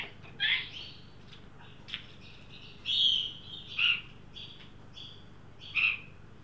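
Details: Adult and young Australian magpie at a new birdbath during a 43° Celsius Sydney heat wave, 9 December 2023; irregular loud squeals and warbled notes, some drawn out, separated by pauses and a few faint clicks.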